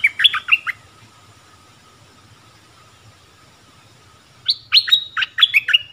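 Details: Streak-eared bulbul: a short burst of quick, sliding chirped notes, then a long quiet pause. The bird answers with a second phrase of higher downward-sweeping notes.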